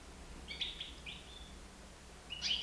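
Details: Young European goldfinch, nine months old, free in a home living room: a quick twittering phrase of high slurred notes, a pause, then another bright chirpy burst above low household hum.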